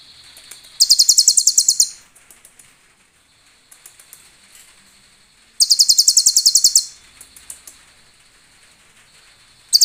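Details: Konin, a sunbird, delivering cililin-filled song as a training recording for other birds: two bursts of a dozen rapid, shrill, buzzy notes about five seconds apart, with quiet clicks between and a steady thin high whine.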